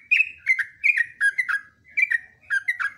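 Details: Yellow-vented bulbul long song, used as a training recording: rapid, liquid phrases of two or three slurred notes each, tumbling down and bubbling on with barely a pause. The background is clean.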